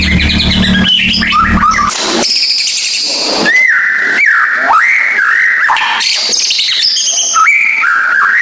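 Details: White-rumped shama lure song, played to prompt a shama that has stopped singing. Loud, rich run of varied whistled phrases, with rising and falling slurs and sharp high notes switching rapidly. A low buzzy hum fills the opening two seconds.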